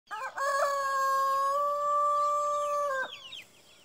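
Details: Jersey Giant rooster crowing at dawn among other birds: one loud, harmonic crow that starts with short rising notes, then holds a long flat tone for about two and a half seconds and stops abruptly. Faint chirps from small birds follow.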